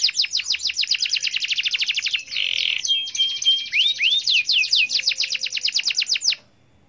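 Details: Gacor canary singing to spur other canaries on: a fast string of repeated falling notes, a short buzzy burst, then upward whistles and another rapid descending trill before it ends cleanly.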